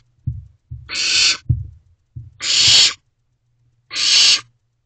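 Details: At 2:55 am on 15 May 2023 a barn owl owlet in Owl Box C begs its parents for food, giving three loud, rasping hisses roughly every one and a half seconds, with soft knocks before them.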